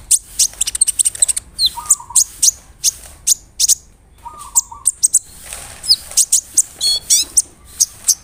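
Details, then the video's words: Big-bodied brown-throated sunbird singing hard as a lure to provoke rival sunbirds: rapid volleys of very high, thin, sharp ticks and chirps, some buzzy trilled notes near the end, plus two brief low steady tones. "PANCINGAN KONIN GACOR BODY BIG SUARA NYES BIKIN KONIN LAIN TAMBAH EMOSI"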